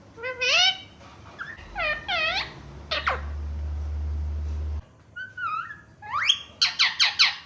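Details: Pet green parrot said to speak the words mummy and papa; arched harmonic vocal phrases and sharp squawks arrive in bursts, with a steady low electrical hum underneath.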